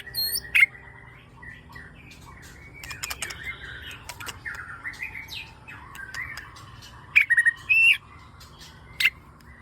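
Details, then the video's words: White-rumped shama song used as a lure recording to make other shamas sing, described as ngebat with dense bursts and varied fill-ins: clear whistled phrases near mid pitch broken by sharp, loud high chips at intervals. "Suara Burung Murai Gacor Pancingan"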